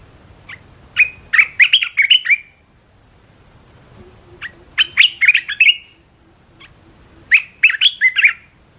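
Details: Red-whiskered bulbul training song: three bubbling phrases of rapid, ringing whistled notes, each about a second long, spaced roughly three seconds apart, with a faint low tone between them.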